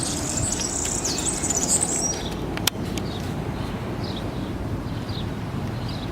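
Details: Song of a European serin in a Zamudio town square, Bizkaia, recorded 7 May 2018: a rapid, high, glittering trill for about two seconds, then a sharp knock and a few faint high chirps over steady background rumble.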